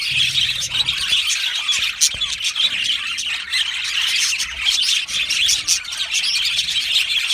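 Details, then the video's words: Australian budgerigars in an aviary colony, singing and chirping together: a dense, continuous wash of high chirps, squawks and warbling chatter with overlapping voices and no pause. "Budgie singing and chirping sounds"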